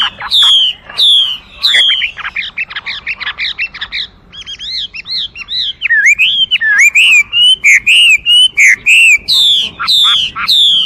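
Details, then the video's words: Chinese hwamei song of rich, fluid whistles: a burst of sharp notes, a short pause, then a run of repeated upslurred and looping whistled phrases delivered briskly and loudly. "画眉鸟的声音 The Voice of a Thrush"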